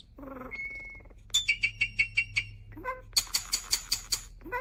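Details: Starling copying human speech: a low nasal phrase and a flat whistle, then about ten regular buzzy pulses, a brief squeak, and a second fast run of bright, harsh high pulses.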